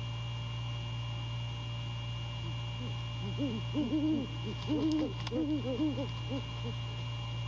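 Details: Nighttime courtship calling by a male great horned owl to his mate at the nest, The Landings, January 2022: faint low hoots swell into a dense, stuttering cluster of rounded hoots midway, with a couple of brief high ticks.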